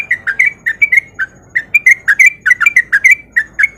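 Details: Lively sooty-headed bulbul song played to provoke silent bulbuls into answering: bright fluty notes bending up and down, in quick bursts with brief gaps.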